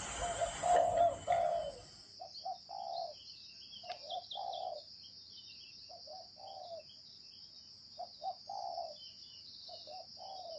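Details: Spotted dove calling in the 'gáy gù' style: after a loud rough burst at the start, low soft cooing phrases follow in short groups of two or three notes with a longer drawn coo, over a constant thin high whine.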